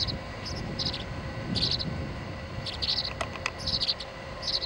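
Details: Nestling tree swallows jostling for the feeding spot at the nest-box door on 26 July 2011, giving short bursts of high, squeaky chirps every half second or so against a constant low drone.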